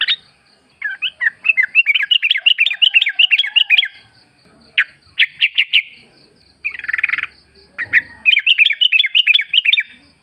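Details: Yellow-vented bulbul, a wild bird in natural forest surroundings, played as a lure to get kept birds singing and answering. Fast bubbly chattering phrases of quick rising and falling notes run in bursts with short pauses. A faint steady high hum continues throughout.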